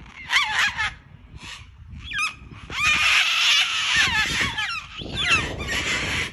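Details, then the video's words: Loud, harsh screeching from a group of cockatoos during play, overlapping raucous squawks with wavering pitch, coming in repeated bursts with brief lulls between them. "COCKATOO PLAY DAY 2! 🤣🤣🤣 COCKYS at 100 DECIBELS!! SO LOUD!"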